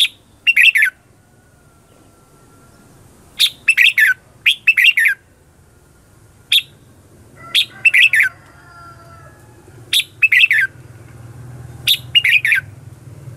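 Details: Red-whiskered bulbul lure bird in fighting song used to stimulate other bulbuls to sing; widely spaced bursts of scratchy, bright chirps, single or clustered, over a low hum that grows louder toward the end.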